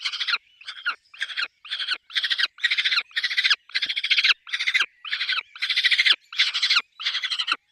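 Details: At a peregrine falcon nest with chicks, loud harsh rasping calls repeat evenly, around a dozen bursts in under eight seconds with brief gaps between.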